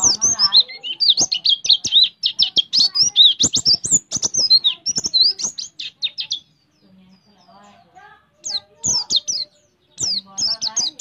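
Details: High, rapid 'tembak' song of an Oriental white-eye, stuffed with prinia imitations: over six seconds of quick downslurred whistles, a pause, then short bursts of sharp chirping notes.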